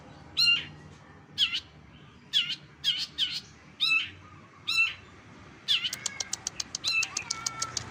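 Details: Long-tailed Shrike (cendet) mimicking other birds in a full masteran training compilation for competition songbirds. Sharp chip notes in pairs and triplets give way to a fast, even rattle of clicks near the end.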